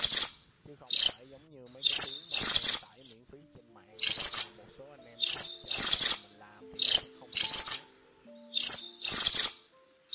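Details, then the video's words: Harsh, grating flock calls from a cuckooshrike, delivered in clusters of two or three rough shrieks every second or so. Faint lower whistles and trills sound in the background. "Tiếng Chim Phường Chèo Trắng Lớn , Chim Chèo Bẻo Trắng Đầu Đen Gọi Bầy"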